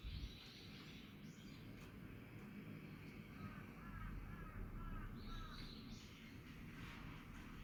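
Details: Crow on 18 August 2022 at about 5:10 pm, giving a run of several quick rough caws in a row, with thin high chirps from another unidentified bird and constant outdoor rumble behind.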